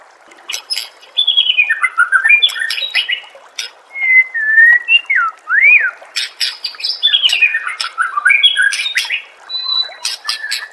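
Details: Master song of a white-rumped shama for training pet birds: varied loud whistles, some swooping up and down, mixed with scratchy squawks and high clicks in fast changing phrases.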